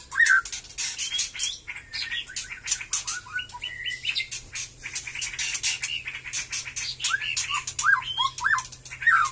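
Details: White-rumped shama of the Batu Kurau strain, becoming lively in song after moulting. Short whistled notes and slurred phrases sit among a dense run of sharp, crackling clicks.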